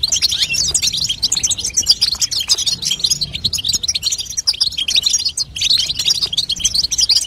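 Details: A female European goldfinch chatters to prompt a young goldfinch to sing, producing rapid, tumbling high chirps and buzzy trills almost without pause, broken by a short gap past five seconds.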